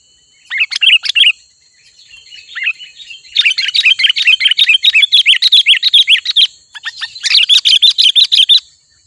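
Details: Lively sooty-headed bulbul song aimed at luring wild bulbuls: an opening bubbly phrase, then long, dense chattering runs of quick chirps and warbles lasting several seconds, against a faint steady high tone.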